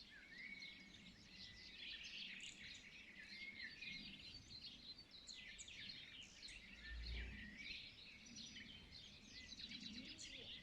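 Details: Birds singing together at sunrise: a continuous weave of high chirps, short trills and whistled notes from many singers, with a brief soft low thump midway and a faint low background hum.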